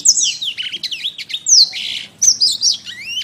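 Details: Canary song for bird training ('masteran'): dense high twittering with sliding whistles, a buzzy rattle midway, then a clear rising whistle closing the phrase. A faint low hum sits underneath.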